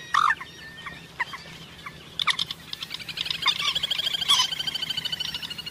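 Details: Common moorhen call, presented as a hunting call: harsh, explosive croaks, then a fast run of clipped, chattering notes that keeps going to the end.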